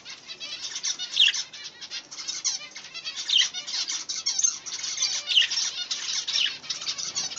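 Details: Pet budgerigars chatter in a steady stream of high, scratchy chirps and warbles, with several birds calling at once.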